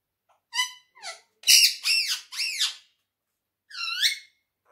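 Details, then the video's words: Talkative pet quaker parrot indoors producing loud word-like squeaky phrases, a few short syllables followed by bold arching, voice-like sounds and a final rising phrase. "quaker Talking parrot || speaking so lovely"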